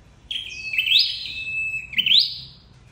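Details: Flowerpecker with a red head, its call used for bird trapping: two high, thin upswept notes, each drawn out into a steady, piercing whistle, the second following after about a second's pause.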